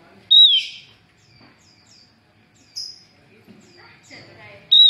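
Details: Female Javan grey-throated white-eye calling to attract males, two loud slurred whistles at the start and end, with faint high chirps from other birds in between.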